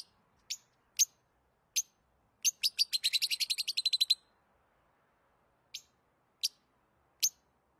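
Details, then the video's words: Lovebird giving sharp, high chirps spaced about half a second apart, then a fast burst of a dozen rapid clicking notes, followed by more single spaced chirps in a quiet room. "Love birds sounds"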